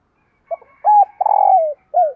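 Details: Morning cooing of a decoy spotted dove luring wild birds: a short grunt-like note, a steady mid-pitched coo, a long buzzy trembling note falling at its end, then a brief downslurred coo.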